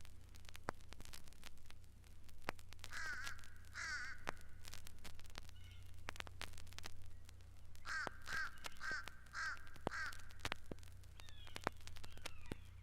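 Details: Adult fish crow at Mountain Lake Sanctuary, Lake Wales, Florida, whose cry some confuse with a young common crow: short, nasal, hoarse caws in two bursts of paired and tripled notes, with steady crackle and clicks.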